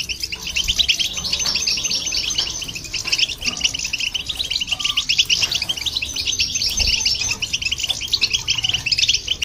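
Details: Goldfinch and hybrid song for stimulating other birds: an unbroken stream of quick, sparkling high twitters and buzzy trills, steady in loudness from start to finish.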